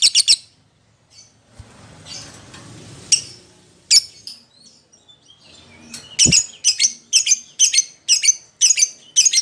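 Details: Lovebird lure call aimed at a companion or opponent: a few harsh chirps, a stretch of rustling noise and soft twitters, then a steady run of about eight sharp, squeaky chirps.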